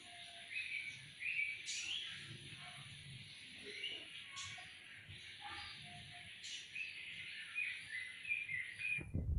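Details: Morning birdsong in sunshine around a residential housing complex: a steady overlapping chorus of high chirps and whistles with occasional sharp notes, ending in a loud low thump.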